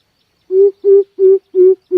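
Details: Deep hooting coucal call played as a trapping lure, five steady hollow notes repeated at a regular rhythm, each note flat in pitch, with no other sounds behind them.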